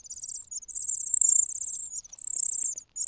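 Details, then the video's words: Hungry cuckoo chick begging loudly beside fed host chicks: long, high, buzzy hissing calls, each about half a second to a second, with short gaps between them. "The natural chicks are full, while the cuckoo cries loudly out of hunger.亲生的小鸟都吃饱了，杜鹃鸟饿得吱吱叫"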